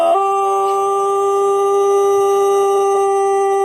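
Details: Pelung chicken, native Indonesian breed from Cianjur, West Java, with a long, melodious crow: one unbroken, steady, resonant tone held through the whole stretch without any change in pitch.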